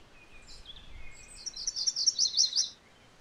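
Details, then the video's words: MacGillivray's warbler gives a quick chattering song of repeated two-note phrases that grows louder toward the end, preceded by soft, thin whistles from another bird in the distance. "MacGillivray's Warbler Song ! MacGillivray's Warbler Sounds ! MacGillivray's Warbler Call"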